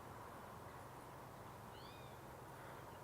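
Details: Spotted Towhee calling from a treetop on a May 1 spring-migration morning at ch'atlich Marsh, British Columbia, Canada: a single faint, slurred, cat-like mew that rises then drops, over steady low background rumble.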